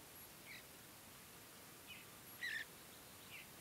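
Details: Mountain bluebird juveniles being fed in early morning light at Great Sand Dunes National Park, Colorado, while grooming and starting to forage; four soft, brief chirps spaced about a second apart over a quiet, faintly hissing background.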